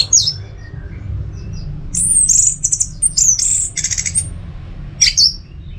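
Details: Domestic orange-headed thrush in Singaraja, Bali, delivering very high, thin whistled phrases and buzzy trills, broken by short pauses, with a final sharp squeak.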